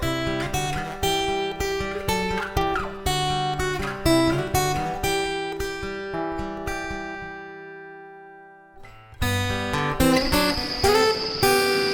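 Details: Strummed acoustic guitar music, with a sustained chord that fades before the playing resumes; no animal voices.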